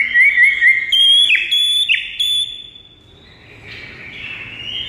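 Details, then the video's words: Murai batu, the white-rumped shama, gives a run of quick rising whistles, then sustained ringing tones broken by sharp downward slides, before fading into faint background noise. "JADIKAN MURAI BATU BISU LANGSUNG NGAMUK DAN GACOR MENDENGARNYA"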